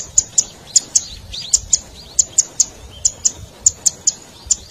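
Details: Zitting cisticola, red cici padi, calling as a lure for wild birds: crisp, piercingly high 'zit' clicks mostly in pairs, repeated quickly and evenly, with faint downslurred notes beneath.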